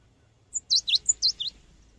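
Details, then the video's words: Cinereous tit song used as a lure for training birds: a short burst of about six high, sharp chirps, some dipping V-shaped notes, delivered in under a second against a quiet background. "GELATIK BATU GACOR | SUARA BURUNG GELATIK BATU GACOR UNTUK PANCINGAN"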